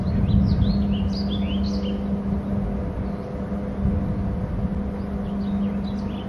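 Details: Bald eagle calling at its nest territory on Hornby Island after flying in from the left: a run of high, thin, squeaky chittering notes, several per second, over steady wind and low rumbling noise.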